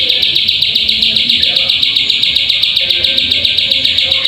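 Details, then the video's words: Plain prinia lure call to trigger singing: loud, high, buzzy chirps in a rapid regular stream of about four per second, steady from start to finish. "Pancingan Burung Ciwah/Ciblek Sawah Agar Bunyi"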